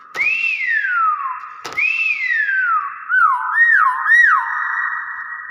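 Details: Nias hill myna's own unusual voice: two loud slurred whistles, each opening with a sharp click, climbing then sliding down, followed by three quick upward-swooping whistled notes over a steady background tone.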